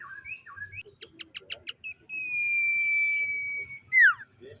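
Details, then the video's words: A common iora sings in the morning: a few slurred notes, a row of five short pulsed chirps, then a long level whistle lasting nearly two seconds and a sharp falling note. "SIULAN TERMERDU BURUNG SIRTU DI PAGI HARI"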